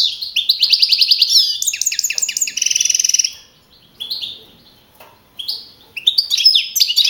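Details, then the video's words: Champion European goldfinch at a Madrid-region singing contest, 2012; a dense stream of quick twittering notes and a buzzy rattle, then scattered short chirps after a pause. "JILGUERO CAMPERO CAMPEON 2012"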